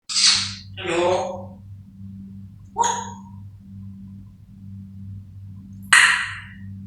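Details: Pet African grey parrot in a happy mood gives four short, harsh bursts of mimicry of sounds and ringtones, one with a voice-like, hoarse tone, separated by pauses, over a steady low hum; it also says "hello".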